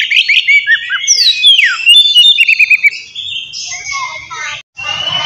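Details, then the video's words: Fighting song in ngeplong style by an oriental magpie-robin, to provoke aggression and mating mood: rapid notes and a steep downward sweeping whistle, a buzzy trill, then sustained hissy high notes before a brief cut. "KACER NGEPLONG GACOR TARUNG!! INI AMPUH BUAT MANCING EMOSI DAN BIRAHI KACER BAHAN"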